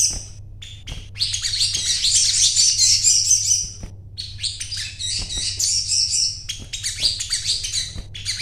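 A sogon bird sings a fast, dense run of high chattering and twittering notes in long bursts with brief pauses, over a low steady hum.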